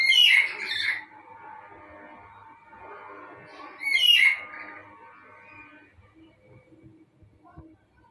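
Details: Male black-capped lory calling to attract a female: two loud harsh squawks about four seconds apart, each followed by a fading, tonal humming background in a quiet indoor setting.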